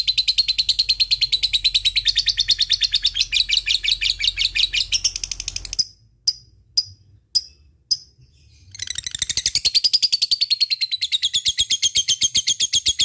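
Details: Lovebird delivering a ngekek chatter to prompt other lovebirds to sing: a fast shrill trill for six seconds, a short gap broken by a few clicks, then the rapid chattering resumes, slightly higher.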